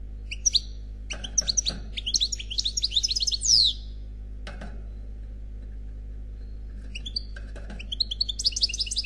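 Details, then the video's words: Khalwi-style song of an unmated male European goldfinch: scattered high tinkling notes building into a rapid twittering phrase with a rising whistle, a quiet pause, then fresh bursts of sharp chirps. "Chant Chardonneret Khalwi Célebataire"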